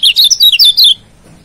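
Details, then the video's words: White-eye from Lombok, known locally as kecial kuning, in a rival-provoking training song: a brief burst of about six high, bright twittered notes lasting one second, then quiet. "Masteran Kecial Kuning GAK PERNAH ZONK‼️Pancing Jos LAWAN‼️"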